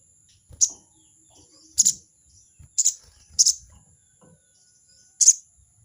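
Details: Crested jay challenging a rival with the 'crecet' call: five brisk, grating bursts, two of them close together, over a steady high-pitched whine and faint clicks.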